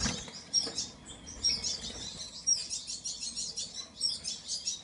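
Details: Painted bunting song: short, high, sweet warbled phrases repeated roughly once a second over a faint, steady background rumble.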